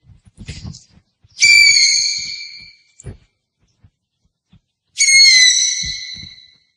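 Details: Owl giving two long, high-pitched screeches about three and a half seconds apart, each loud at onset and tapering away, with scattered soft taps between.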